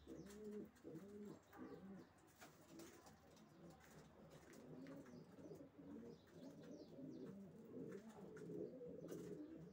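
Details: Racing pigeons in a loft chorus, many birds cooing at once in low, throaty, wavering phrases, with scattered clicks and knocks throughout.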